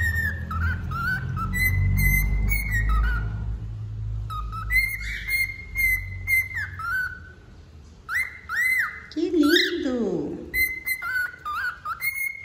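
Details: Singing wild-type male cockatiel gives a long run of whistled phrases, level and bending notes repeated in clusters, with one harsher downward-sliding note near the end. A low rumble sounds in the background early on.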